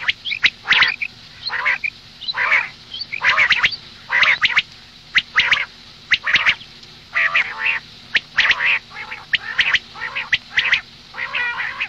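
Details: Female common quail heard in the morning: a steady run of raspy, nasal, quacking bursts about a second apart, with sharp clicks between them over twelve seconds.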